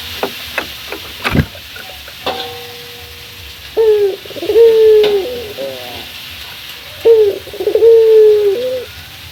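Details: Male local Barbary dove calling to a rival at morning: after some clicks and knocks, two phrases each of a short coo, a long sustained low coo, and a rolling purr.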